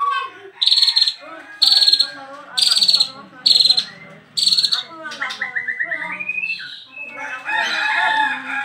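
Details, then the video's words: Cage cover opened on a just-arrived bird, which sings continuously: five loud, harsh bursts about a second apart, followed by quicker chirping runs and warbling chatter. "BARU datang buka KERODONG langsung NYEROCOSS gak bisa diem"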